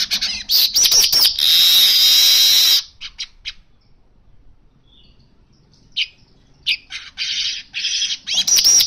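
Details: Baya weaver delivers a long harsh sizzling buzz after a few sharp ticks, then pauses with scattered chips before quick rasping notes build into buzzing again.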